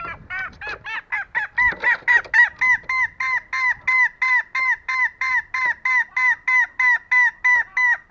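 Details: Female green junglefowl giving a steady call meant to lure males that are slow to respond. Some irregular rougher notes open the clip, then a long, regular run of nasal honks follows at about three per second.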